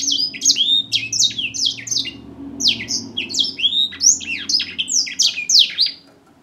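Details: African grey singing finch singing a fast, continuous run of sweet whistled and slurred notes, many sharply falling or rising, packed closely with brief pauses, over a faint low hum.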